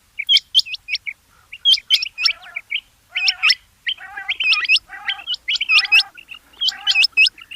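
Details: Rain quail: dense bursts of shrill, hooked, metallic notes in rapid doublets and triplets, repeated roughly every second, interleaved with lower buzzy rasps.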